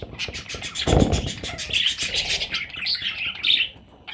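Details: Parrot chicks calling in a series of harsh, raspy chirps around the middle-high range, with a low thump near one second and scattered handling noises.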